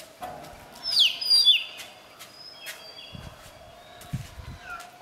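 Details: Southern hill myna in Sri Lanka giving a few loud, sharp whistles that swoop downward, with fainter bird calls and low thumps in the background.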